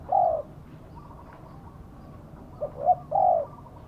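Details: Spotted dove decoy used to lure wild doves to a trap, singing in the prized karom style: a short low note, then two longer warm mellow coos around a pause, with quiet background hum.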